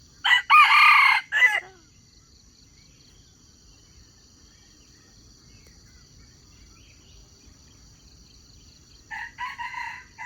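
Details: Red junglefowl crow used as bait to lure wild chickens into a trap. A loud, strained, harmonic crow about a second and a half long opens, then a shorter crow comes near the end, over a faint insect hum.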